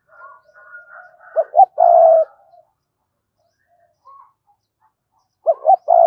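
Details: Low spotted dove coos come in two short bursts plus a longer held coo, then silence, then a fresh pair of coos at the end; faint softer notes come before.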